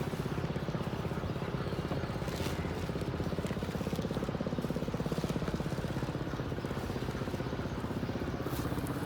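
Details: A low, rapidly pulsing engine rumble like an idling motorcycle fills the recording, with no animal calls heard.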